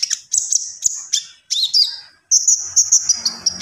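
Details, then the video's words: Common iora singing a few high chirpy phrases and a sliding whistle, then a long, sustained, high, buzzy trill; a soft low rumble sits in the background. "SUARA BURUNG KONIN GACOR"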